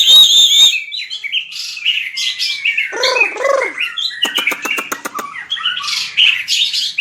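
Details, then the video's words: Shama bird, white-rumped, in fighting song for training: a steady high whistle, tumbling warbled phrases, a pair of low arched notes, then a rapid series of clicking ticks before varied chatter returns. "Luyện chòe lửa hót đấu/luyện giọng chòe lửa/kích lửa shama bird"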